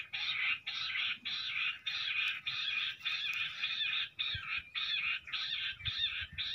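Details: Jungle bush quail fighting, heard by a trapping net: a continuous run of scratchy, rattling bursts, roughly two per second, with short gaps between them and faint low rustling underneath.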